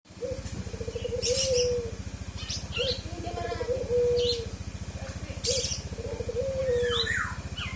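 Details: Forest oriole, kepodang hutan, singing a fill song: drawn-out whistled notes slurring upward then down, repeated every couple of seconds, mixed with sharp high chirps over a steady low mechanical hum.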